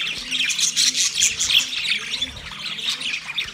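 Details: A budgie calling another budgie gives rapid scratchy chirps and squawks, a little under three notes a second in irregular bursts, over a faint low hum.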